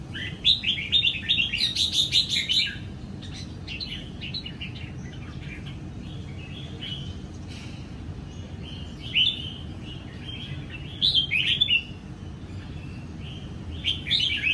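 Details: Caged red-whiskered bulbul of the Sông Kon line, just out of its wild plumage, sings ché in morning sun in Vietnam, April 2022. An opening burst of rapid chirps and warbles gives way to a long quiet spell, then scattered bright phrases.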